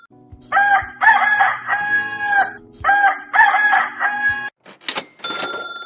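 A rooster gives two loud, hoarse crows, each a rising then drawn-out harmonic cock-a-doodle-doo lasting about two seconds, followed by a brief scratchy noise.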